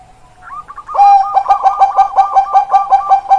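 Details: Captive Bangkok zebra dove in full cooing song: a soft lead-in, then loud, evenly spaced staccato hoots, roughly four per second, overlaid with a fast rolling trill.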